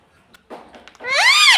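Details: Pet parrot speaking: soft muttered syllables, then a loud harsh drawn-out call that swoops up and down, rich and grating, in a quiet indoor setting.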